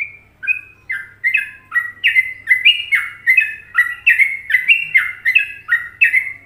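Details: Sooty-headed bulbul from Indonesia on a masteran training recording of popular Trucukan song: loud, liquid two-part notes, each slurring down, given about twice a second in a steady bubbling run, with a faint low hum beneath.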